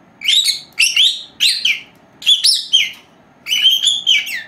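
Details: Two young female lovebirds, four months old, resting at home; warbling whistled phrases with sliding pitch, delivered in five or six bursts of under a second each, separated by short pauses.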